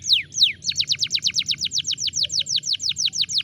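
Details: Canary singing: two sweeping downward whistles, then a rapid, even trill of short descending notes repeated about three times a second, bright and high-pitched, with faint low hum beneath.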